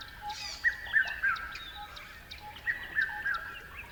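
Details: Bird chirping in two bursts, each a quick string of three or four bright, slightly descending chirps, separated by a pause of over a second, with a faint constant hum and light ticking behind.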